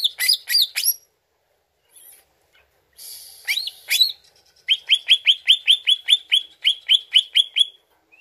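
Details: Greater green leafbird song as a lure: loud looping whistles, a soft hiss, more swooping notes, then a steady series of about fourteen bright rising chirps roughly every fifth of a second.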